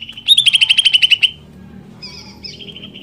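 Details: Greater green leafbird song meant to excite rival leafbirds: a fast, even string of about a dozen bright ringing notes, then softer whistled phrases after a brief pause.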